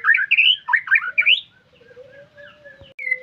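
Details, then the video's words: White-rumped shama singing a rapid run of slurred, warbled whistles climbing between mid and high pitch, then softer drawn-out tones over a low steady hum, ending in a short bright whistle. "MURAI BATU GACORRR FULL DURASI MANTULLL"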